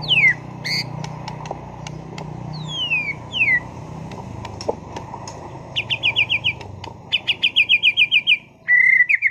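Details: Contest white-rumped shama, caged in Sragen, producing long descending whistled slurs, scattered sharp ticks, then two fast rattling trills and a closing buzzy note over a low background rumble.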